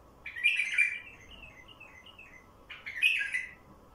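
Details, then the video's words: Wild bulbul song for attracting wild bulbuls: a loud, fluty warbled phrase trailing off into softer descending chirps, then a second strong phrase after a short gap. "تغريد بلبل وحشي لفتح البلابل الوحشية"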